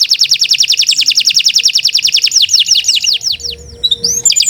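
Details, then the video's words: Kenari Nusantara canary in long, continuous gacor song used as a tutor recording: a rapid run of high repeated trill notes, then slower downward-sweeping whistles and brief varied chips near the end. "Kicau Burung Kenari 142 II LUAR BIASA GACOR PANJANG Cocok untuk Masteran"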